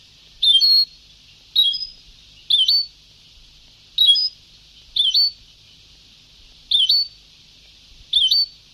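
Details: European goldfinch singing in the old Sebtaoui style from a very old tape: a short bright twittering phrase with a rising hooked note, repeated about every second. Steady tape hiss runs underneath.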